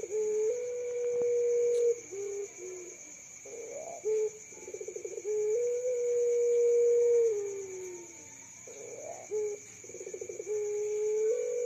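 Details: Puter pelung dove, a young bird kept as a champion candidate, said to call both day and night and to sound most soulful at night. It gives long, level, low coos broken by rapid rolling, pulsed phrases, with constant high whining tones behind.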